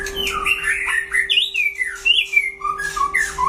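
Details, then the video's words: White-rumped shama duelling with a rival bird, pouring out quick, warbled whistles that swoop and bend, with a few rough chattering notes, over a steady background hum. "đấu solo (shama bird)"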